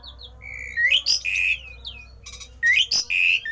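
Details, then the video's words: Rare odd song of a Javan pied starling, used to rouse other starlings to sing along: loud rising whistles run into harsh, buzzy squawked phrases in two bursts, with brief quiet between them and a low hum behind. "jalak uren suara aneh langka di jamin Jalak uren lain panas ikut gacor!!!!"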